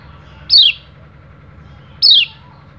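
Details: Male Oriental white-eye calling out to rivals, used to lure other birds: two sharp descending high whistles about one and a half seconds apart over a low constant hum.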